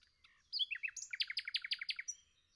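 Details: Singing nightingale in a forest: a few descending slurred whistles lead into a loud, fast series of about a dozen evenly repeated, crisp chattering notes, with a faint low hum behind.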